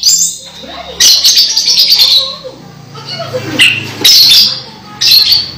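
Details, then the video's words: An orange-headed thrush near its moult, still in full song: bright high whistles and sharp chirps in several bursts, with a faint low hum underneath. "Anis merah hampir mabung masih gacor"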